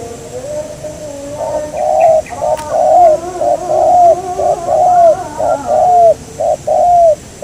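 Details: Spotted dove heard in a dove-catching session aimed at a local wild bird. A long, rhythmic run of downward-curving coos, regularly spaced at about one per second, with a second fainter voice beneath.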